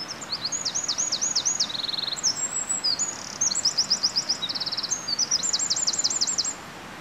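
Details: Bold Eurasian wren singing animatedly in the early morning despite a person's presence: a continuous run of high, fast, rhythmic trills and repeated notes, with a soft hiss behind.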